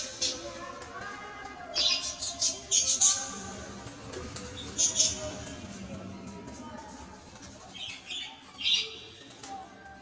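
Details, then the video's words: Lovebirds giving sharp, high squeaky chirps in short irregular bursts, several in quick clusters, over background music. "Love birds"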